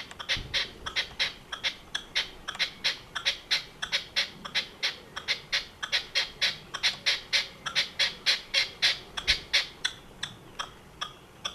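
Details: Red-legged partridge perched on a roof in the evening, calling in a long steady series of rapid, scratchy chuffing notes, roughly four each second, sustained for over ten seconds over quiet background noise.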